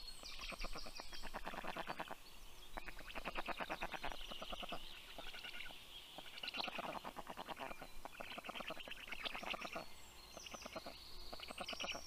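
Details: Black stork nest in southern Estonia's Karula National Park at 6:06 am, 19 June 2023, with the female arriving with breakfast for the chicks; dense grating rattles in repeated bouts, high bird whistles in the background.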